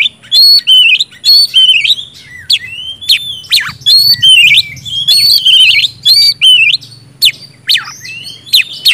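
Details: Oriental magpie-robin giving a gacor ngeplong song to encourage silent birds to sing: repeated twisting whistled phrases with sharp clicks, delivered in quick succession over nine seconds, with a faint low rumble behind.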